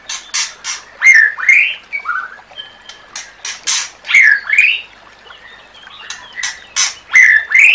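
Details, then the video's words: Murai batu, white-rumped shama, tutor song for training birds: harsh scratchy ticks and rasping bursts mixed with loud upslurred whistles, in an uneven, energetic sequence. "Masteran Murai Batu"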